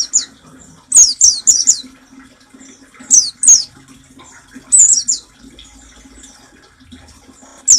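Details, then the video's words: Oriental white-eye singing in the rapid nembak style, recorded as a training song for caged birds: sharp, very high downslurred notes in quick clusters of two to four, with pauses of about a second and a faint low hum beneath. "Suara burung masteran pleci nembak paling ampuh"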